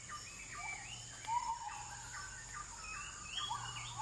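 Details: Forest recording of an oriental magpie-robin song: a lively run of varied whistled phrases, quick rising and falling slides at two pitch levels, one louder note near the middle, over a constant high-pitched hum.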